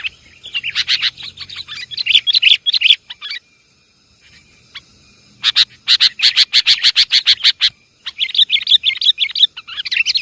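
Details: Sooty-headed bulbul lure call from Java for bird trapping: rapid bursts of bright chattering notes, about three per second, in dense runs broken by short pauses.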